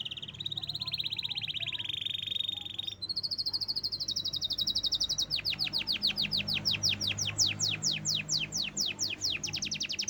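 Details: Canary, local Indonesian song bird kept by a hobbyist, singing in full: a rapid buzzy trill, then a higher sustained rattle, breaking into a long run of repeated downward-sweeping whistled notes at about two per second.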